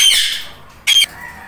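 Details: Pair of tame indoor Indian ringneck parrots, one lutino, bonding: a long harsh fading screech followed by a short sharp squawk.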